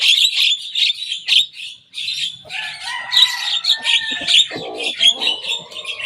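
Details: A young Javan myna reproducing rival birds' songs: loud scratchy high chattering for two seconds, then mixed phrases with clear mid-pitched whistles and lower harsh, nasal notes toward the end.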